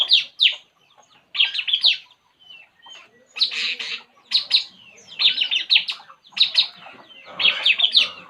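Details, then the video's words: At ease, a puling bird delivers clustered bursts of rapid, scratchy chirps and twitters, each group lasting under a second and separated by short pauses. "burung puling"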